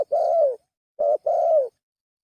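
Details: Spotted dove lure call: low, hoarse coos, a long note, a pause, then a short note quickly followed by another drawn-out coo, all at a steady pitch.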